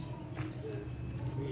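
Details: A barbary dove (puter pelung) in the second round of a 4 August 2023 singing contest in Situbondo gives a low, mellow, drawn-out coo in soft rolling tones over crowd murmur and low rumble.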